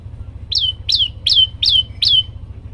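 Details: Olive-backed tailorbird (prenjak lumut) singing energetically: five loud, evenly spaced notes, each sliding down into a clear sustained whistle about every third of a second, with a soft low drone behind.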